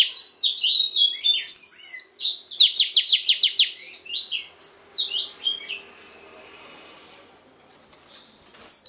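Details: Oriental magpie-robin female song meant to excite the male, a varied phrase of slurred whistles and chattering notes leading into a rapid train of sharp descending strokes, quieter scratchy notes, then a pause and a bright whistle at the end.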